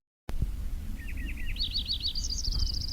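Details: A Lincoln's Sparrow in the oil sands of Alberta, Canada, studied for its response to human noise, sings a bubbly song of rapid trills, each run stepping higher and brighter, over a steady low rumble of industrial noise.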